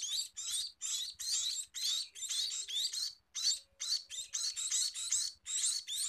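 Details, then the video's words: Scaly-breasted munia singing: a run of short, dense, noisy high bursts, about two per second, each a scratchy chattering burr with brief gaps between, over a quiet background. "Meloloh Burung Emprit Peking!!"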